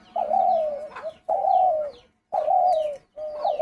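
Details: A caged spotted dove kept as a hunting decoy gives four low, hollow, slightly wavering coos about a second each, roughly one a second, with faint high chirps from other birds behind.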